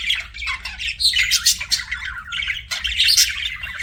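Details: Chirping pet budgies producing harsh, buzzy squawks and warbled chatter in tight bursts separated by brief dips, with high whistled fragments; several birds seem to call together over a faint hum.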